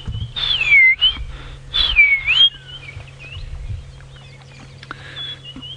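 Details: Magpie shrikes at sunrise (5 AM, 27 November 2017) on a game drive at Djuma Game Reserve, Sabi Sand, South Africa: two loud, clear whistles, each sliding down then lifting, about 1.5 seconds apart; softer chirps follow over a steady low vehicle engine hum.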